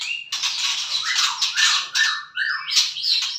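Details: Morning song of a white-rumped shama: loud, harsh, squawky phrases mixed with short rising and falling whistled slurs, delivered in rapid bursts with little pause.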